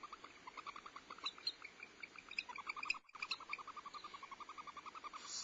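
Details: A barn owl family at the Starr Ranch nest on 14 February 2011 gives a fast, steady run of short chittering notes, several a second, with a brief break. The female feeds owlets while the male delivers prey and steps on her in bonding.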